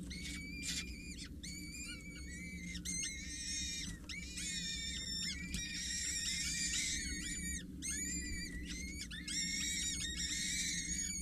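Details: Peregrine Falcon young, four chicks of 6-8 days at a Scheveningen water tower nest, beg insistently while being fed by a parent on 8 May: quick, continuous shrill squeals, several a second, harsh and whistled, above low rumbling.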